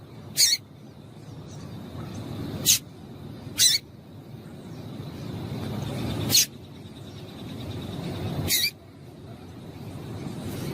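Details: Female double-collared seedeater call used to warm up a male for singing: single sharp, high chips spaced irregularly, roughly every one to three seconds, over a faint low rumble.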